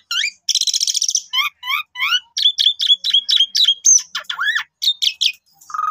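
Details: Song of an Asian pied starling meant to prompt others each morning: a harsh buzzy burst, then quick rising chirps repeated about three times a second, sharp high notes and a closing steady low whistle.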